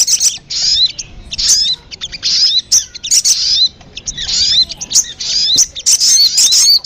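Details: Sogon lure sound: bursts of shrill, squeaky chirps and thin whistles, grouped in short phrases with brief pauses throughout.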